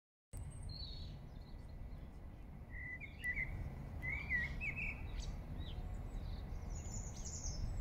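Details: Song thrush singing in Regent's Park, London; after a quiet start, scattered short whistled and chirpy phrases mid to high, clustered around the middle, over loud low city rumble.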